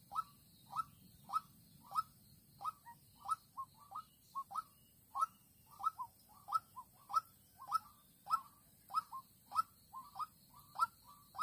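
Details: Young decoy white-breasted waterhen used for trapping in Vĩnh Long, 16 March 2022, calling to draw a combative lone wild female. It gives hollow, mid-pitched kook notes, often doubled, about one and a half per second, with faint low background hum.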